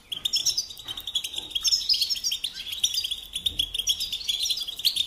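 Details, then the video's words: European goldfinch in captivity pouring out quick, cheerful twitters and chirps, rapid liquid notes over a persistent high tinkling band, almost unbroken. "Supporting and Singing Along with Goldfinches"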